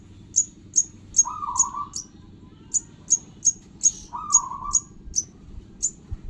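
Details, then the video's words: High, piercing chirps from a sogon bird chick, repeated roughly every half second, with two short mid-pitched whining tones and a constant low hum behind. "anakan burung sogon"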